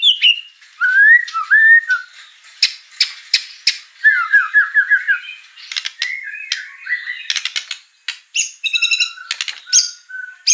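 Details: Murai batu (white-rumped shama) in a varied fill-in medley: scattered whistled slurs, clicks, harsh squawks and quick chattering runs, each short phrase different, ending with a string of repeated short notes.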